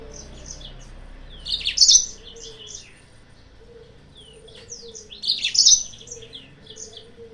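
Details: Yellow-fronted canary singing, used as a lure to provoke rival birds: two loud, dense bursts of high chattering notes about four seconds apart, with scattered soft chirps and short whistled slurs between them over a low steady hum.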